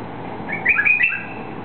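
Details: White-eared bulbul from eastern Saudi Arabia, at its release, giving a brief run of clear warbled whistles, three or four quick notes stepping up and down, with faint hum and hiss behind.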